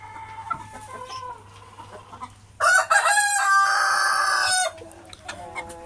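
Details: At midday on a hot, sunny day in a small backyard hobby farm, chickens call after being fed and given glucose water. They cluck softly, then one crows loudly, harshly and drawn-out for about two seconds before the low clucking resumes over a steady hum.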